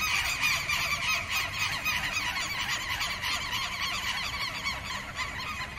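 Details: Southern lapwing giving its alarm against predators and intruders on its territory: a dense, continuous chorus of harsh, overlapping repeated notes, several callers seemingly at once, with low rumbling background noise.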